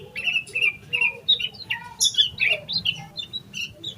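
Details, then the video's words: Loud agitated yellow-vented bulbul song, used to make other bulbuls start singing: rich warbled whistles, some gliding, in a busy flowing phrase with a high squeal midway. "Suara Burung Trucukan Gacor EMOSI KOSLET Full Isian Buat Pancingan Burung Trucuk Agar Cepat GACOR"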